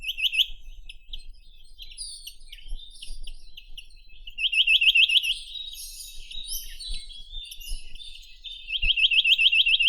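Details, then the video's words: Rare Ussuri-region breeder, the Chinese nuthatch (Sitta villosa) delivers three short bursts of quick, regular upslurred notes, separated by seconds of high, varied twittering from other small birds. "Как поёт Поползень косматый (Sitta villosa)"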